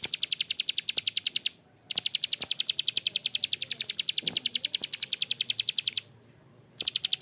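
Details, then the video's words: Long rough 'ngebren' rattle of a bar-winged prinia (prenjak klik): rapid high clicks in long runs broken by two short pauses. "PRENJAK KLIK GACOR ‼️Ngebren Panjang suara kasar"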